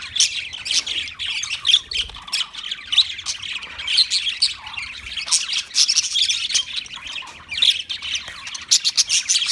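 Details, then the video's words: Budgies chattering continuously, a dense stream of high scratchy chirps, squawks and warbles with clicky broadband notes, no real pauses throughout. "Beautiful Budgie Sounds"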